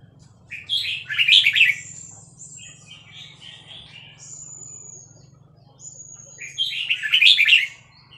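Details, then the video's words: Caged Vietnamese red-whiskered bulbul, excited and singing along to a played recording of hatched chicks, with fast-linked song phrases. Two bright warbled bursts about six seconds apart, thin high steady whistles between them, and a low steady hum throughout. "นกกรงหัวจุกเวียดนาม ต่อดอกเร็ว เปิดยั้วลูกนกฟักแล้วคึกร้องตาม"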